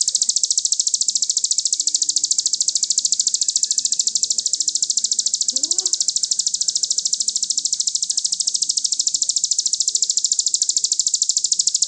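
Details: Sustained fast rattle of a crested jay from a songbird-training master recording, high, dry and evenly pulsed for about twelve seconds, with a faint low rising note in the background near the middle.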